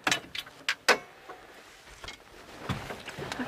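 On a sunrise safari drive in August 2016, sharp clicks, jangling keys and door or window knocks sound from a vehicle, followed by quieter rumbling and faint low movement noises, with no animal voice heard.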